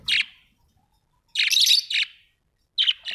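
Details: Domestic budgies kept indoors make harsh, buzzy chirps: one short call, then a longer raspy warbling burst, followed by two quick chirps.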